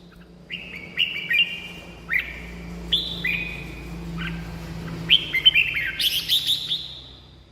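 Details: Red-whiskered bulbul song meant to rouse caged birds or draw in wild birds; softer, slightly distant whistled phrases over a steady low hum, building to a louder buzzy flourish near the end.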